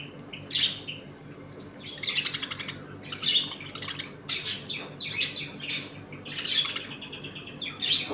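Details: Budgerigars kept as a home colony while eating, playing and fighting: busy, high-pitched warbling chatter of scratchy chirps and buzzy bursts, almost continuous, several birds calling at once.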